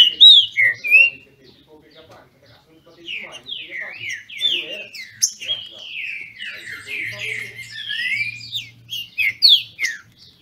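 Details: Captive green-winged saltator (trinca-ferro) from a Brazilian breeder, singing competitively: a few bright whistled notes, a pause, then a long flowing series of swooping whistles and sharp high notes, with a brief low hum partway through.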